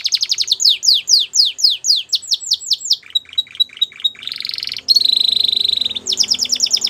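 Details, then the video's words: Belgian canary song made of a run of falling whistled notes repeated about three per second, shorter clipped notes, a sustained buzzy trill and a bright rolling trill at the end, clear and loud. "Melodies Canary Bird Song | Belgian Canary Singing"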